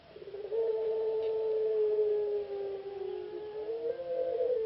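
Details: Caged ringneck dove of the puter pelung contest style from Indonesia, semifinalist at a P4SI song competition in Yogyakarta. It holds one drawn-out, even, mellow coo for nearly the whole stretch, sagging slightly in pitch before lifting at the end.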